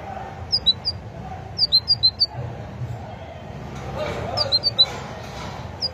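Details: Great tit gives short clusters of high, quick notes in groups of two to four, with brief pauses between groups, over faint low background noise.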